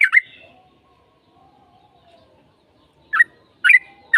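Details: Lure song of a yellow-vented bulbul meant to provoke a reply: one bubbly chortle opens, then a long quiet pause with a faint low hum, followed by three short gurgled notes near the end.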